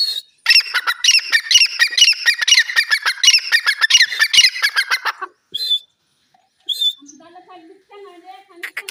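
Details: Natural voice of a francolin: a long, fast stream of grating, rhythmic squawks for about five seconds, then quieter, softer whining notes trailing off.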